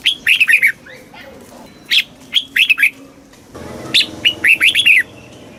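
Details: Caged red-whiskered bulbul in Thailand singing southern master-style phrases used for training young birds and exciting caged ones: short clusters of fluttering, liquid whistled notes recurring every couple of seconds over a faint background hum.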